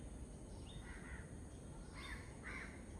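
Pheasant-tailed jacana giving three nasal, mewing calls in about two seconds, the last two louder and closer together, over a steady low rumble of wind or distant noise.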